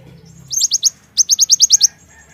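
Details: Javan myna call to stimulate untrained birds: a short run of four high, clipped chirps, a brief gap, then a second run of seven, all brisk and evenly spaced, over a low hum.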